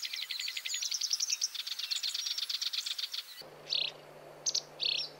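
A Black-browed Reed Warbler sings a fast, scratchy run of high repeated notes, followed by a few sharp chirps.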